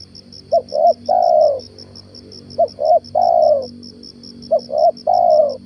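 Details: Spotted dove serving as a lure bird coos three times in the morning: quick double note, then a sustained mellow coo. A steady high insect pulse and a noticeable low droning hum are heard throughout.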